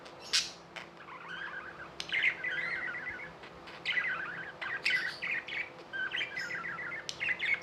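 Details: Tame pet budgerigars in India giving a busy warbling chatter of buzzy chirps, with short sharp clicks and little pauses between the bursts.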